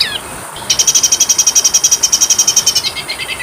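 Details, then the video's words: Oriental magpie-robin (kacer) song made as training material for birds. A falling whistle leads into a long, fast trill of repeated bright notes, which slows and drops in pitch toward the end. "masteran Kacer suara burung kecil"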